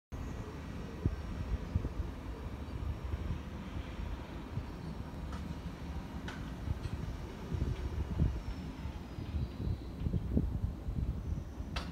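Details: Steady low rumble of passing traffic or a train, with a few faint knocks and no animal calls.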